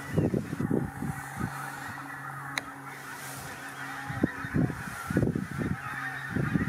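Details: Pink-footed geese stirred up by a Marsh Harrier at WWT Martin Mere, 4 November 2017; clusters of short honks come in bursts, with a constant hum and distant flock chatter behind.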